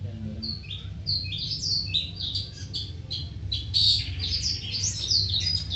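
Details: Long-tailed shrike singing; a fast chattering stream of short high scratchy and whistled notes, varied and continuous, over a steady low hum.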